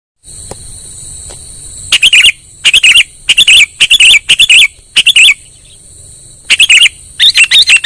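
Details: Sooty-headed bulbul lure call used for trapping birds: loud bursts of sharp chirps come in short clusters with pauses between them, over a steady high whine.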